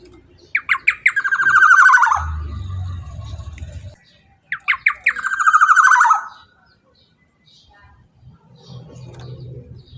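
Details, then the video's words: Black-naped oriole, loud and lively, used to lure other birds into singing: a few sharp rising notes, then a long harsh buzzy rattle sliding slightly downward. The phrase repeats twice, with low rumbling noise between. "Pancingan Suara KEPODANG EMAS GACOR Super LANTANG Cocok Untuk Pancingan Burung Bahan Agar Ikut Bunyi"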